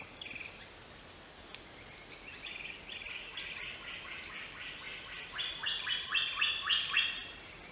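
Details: Greater racket-tailed drongo giving a fast run of short, clipped, metallic notes, about four per second. The notes grow louder and rise slightly in pitch toward the end, over a faint steady background hiss.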